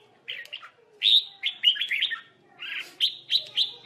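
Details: Red-whiskered bulbul at a trap with a lure bird, birds fighting; chirpy, bubbling whistled phrases in several bursts, a loud rapid run in the middle, then shorter bright notes.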